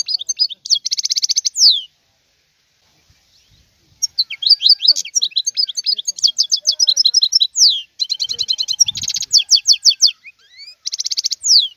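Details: High, jingling song of a wild European goldfinch: clusters of quick chirps and buzzy trills, a silent gap of about two seconds, then a long cheerful twittering stretch.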